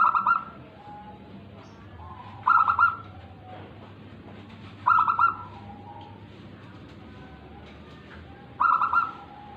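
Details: A tame local zebra dove repeats its song four times in under ten seconds, each phrase a brief run of rapid, rolling soft cooing notes ending in a lower trailing note, over quiet background hum.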